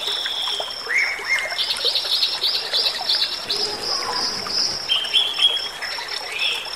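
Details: Bali myna singing a busy, lively run of high whistles, chattering notes and rising squeaks, used as a song to tutor and provoke other birds, with a steady thin high tone and a soft trickling background.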